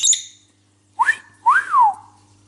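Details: A talking cobalt lovebird (Agapornis) gives a sharp, high chirp, then two clear whistled phrases that rise and fall, over a faint steady hum.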